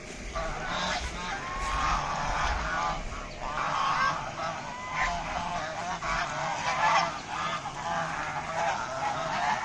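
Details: A group of deshi raj hash ducks calling almost without pause, a dense chorus of overlapping nasal honks and cackles over steady hiss.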